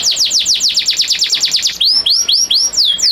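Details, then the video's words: Captive male canary singing to make a breeding-condition female ready to mate; rapid series of high descending sweeps repeated about twice a second, then shifting to looping rising-and-falling whistled notes. "Kenari Super Gacor Betina Birahi Langsung Ngleper"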